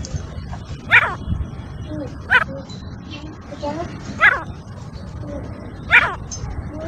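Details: Female black francolin (kala teetar), described as an excited 'masti wali' call: four rasping, downward-sweeping bursts spaced about one and a half seconds apart over a low background rumble.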